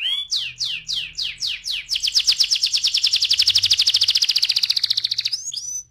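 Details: Canary singing in the lively rolling style called ngeroll: six rising sweeping notes, then a long fast even trill of about forty bright pulses, ending with short upward chirps.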